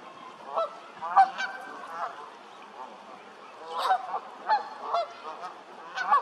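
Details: Canada goose calling with repeated nasal honks at an uneven rhythm, roughly eight over six seconds, some doubled, with brief pauses between groups.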